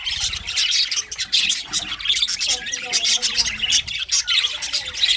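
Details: English budgies chirping and warbling, a fast run of high scratchy twitters and squawks, with a faint lower murmur beneath the bird chatter.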